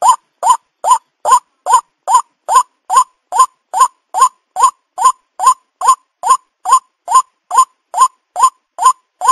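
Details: A White-breasted Waterhen gives a harsh, croaking note that rises slightly, repeated steadily more than twice a second with no other sounds; a recording used as a lure by people trapping waterhens.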